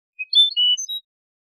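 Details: European goldfinch, a training copy of clean contest song in the Malaga copy style. A brief phrase of thin, high whistled and twittering notes, each clipped short, in clean silence.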